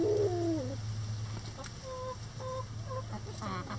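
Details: Chickens in a coop run pecking at a hanging cabbage ball for enrichment; opens with a loud, drawn-out falling tonal note, then short clear clucks repeated about every half second over a steady low hum.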